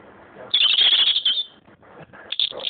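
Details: Very tame robin living alone in a garden centre, singing close by: a bright, high, twittering phrase lasting about a second, a pause, then a shorter high burst at the end over a low indoor murmur.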